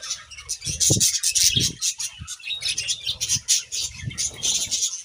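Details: Budgies frolicking in a leafy bath on a sizzling day: continuous high, chattering chirps in quick bursts, with low thumps of rustling leaves and splashes underneath.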